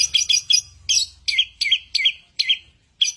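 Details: Bird singing in a varied, mimicking repertoire: bright high chirps at irregular intervals, some doubled, with sharp rising-falling notes and a faint low hum beneath.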